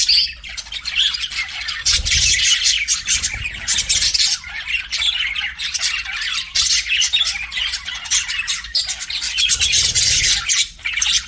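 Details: Pet budgies keep a long run of raspy, high chatter, clusters of quick chirps and squawks rising and falling in loudness, with dull low thumps in places.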